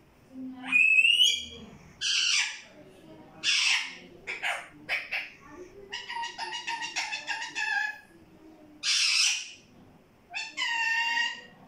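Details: Talking parrot said to repeat "mittu mittu", mixing a sharp rising whistle with rough raspy syllables and buzzy, nasal, harmonic-rich phrases, delivered in irregular bursts with short pauses.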